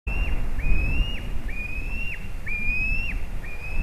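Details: Thin, high whistled calls from a young white-tailed eagle at a Latvian nest on 18 July 2019, as one young pushes the other out of the nest. Each call is held briefly then drops, about once a second, over a low rumble of wind.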